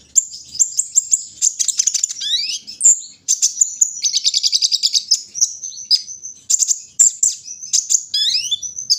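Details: Kolibri ninja singing in the morning dew, a fast, dense run of high ticking notes, buzzy trills and quick downward-sweeping whistles.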